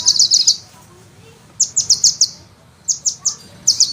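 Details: ['A sunbird in a songbird-training master recording sings quick, high trilled bursts. An opening rattle is followed by a one-second silence, then spaced groups of four or five sharp chirping notes.']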